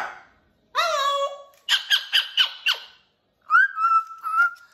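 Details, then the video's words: Indoor pet cockatoo telling his stories makes a rising, tonal squawk, then five quick, clipped honking notes, then a drawn-out whistled note that wavers slightly in pitch. "Barney uses his whole body to tell his stories"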